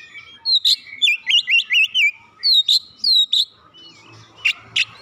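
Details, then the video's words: Stimulated Oriental magpie-robin sings a run of clear whistled notes, falling and rising slurs repeated in a quick series, ending with two sharp clicks. "merangsang Kacer malas bunyi langsung gacor"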